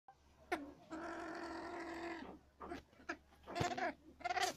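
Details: Cabot's tragopan giving a long, steady, nasal, goat-like wail of about a second and a half, preceded by a short rising note and followed by several brief bleats and clicks.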